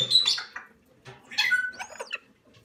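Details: Young salmon-crested cockatoo chicks during hand-feeding give hoarse rasping squawks and a few thin whistled notes in short bursts, with soft handling noises behind.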